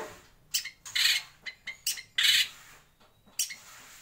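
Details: White-rumped shama in a breeding aviary giving loud, harsh, broadband rasping bursts of uneven length, several short and two longer, separated by brief pauses.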